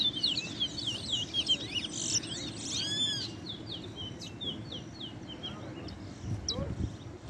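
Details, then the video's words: At a 2021 towa towa competition in Essequibo, Guyana, caged birds pour out dense, high twittering song in rapid, varied phrases with bright whistled slurs, in outdoor park ambience. "TOWA TOWA BIRD COMPETITION"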